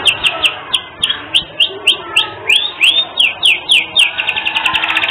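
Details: Canary in lively, vigorous song with a distinctive style, recorded as training material for other songbirds: bright rising chirps at a quick, slightly uneven pace, ending in a rapid buzzy trill.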